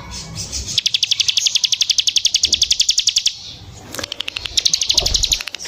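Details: Bar-winged prinia singing actively, giving a long, even run of about twenty-five sharp, high ticking notes at nearly four per second, a short break, then a second, slightly faster burst of similar notes.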